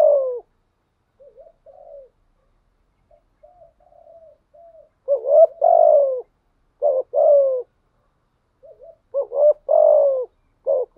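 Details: Decoy spotted dove with a 'giọng thổ' voice style cooing continuously. Soft short notes lead into louder, deep, hoarse cooing phrases in quick bursts, some phrases faint and broken, with quiet pauses between them and no other sounds.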